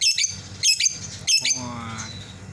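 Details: Lovebird in a cage calling after its companion that went out: three loud, shrill, grating shrieks in quick succession, then a faint, steady, low tonal sound trailing off.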